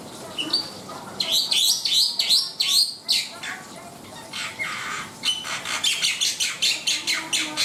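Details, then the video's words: Black-winged myna in energetic full song: a run of loud, harsh rising whistles and chattering notes, then a rapid series of rasping bursts repeated about twice a second, with a faint steady hum behind. "SUARA ASLI BURUNG JALAK PUTIH NUSA GACOR DOR!"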